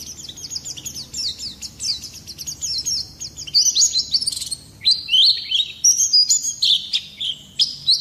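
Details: Oriental white-eye delivering a rolling, chattering song of quick high chirps, softer at first and then louder, choppier phrases, intended to prompt other birds to sing.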